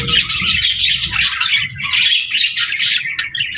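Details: Pet budgies chirping and singing in a dense, lively chatter of quick high twittering notes and warbles, with brief pauses between bursts and a faint low background hum.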